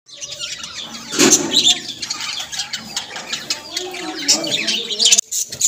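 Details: Budgerigars, small Australian parrots, chattering together: dense high squeaks, chirps and buzzy warbles overlap continuously, with one louder squawk early on.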